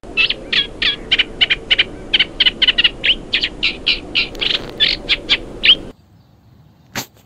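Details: Eurasian reed warbler recorded live by the Sarno River: a steady chattering string of short, harsh, repeated notes at a brisk even pace for about six seconds, over a low background rumble, ending abruptly.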